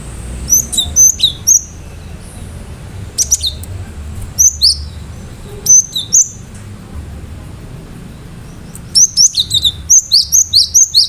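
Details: Cinereous tit song with sharp shot-like notes intended to stir other birds into calling. Short groups of high, thin, descending whistles recur through the recording, ending in a dense run of rapid notes, with a low hum beneath.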